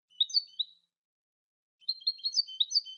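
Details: Song of a European goldfinch from a CD of song recordings: quick liquid twitters and buzzy trills in two bursts separated by a pause, high-pitched and jumbled, against a silent background.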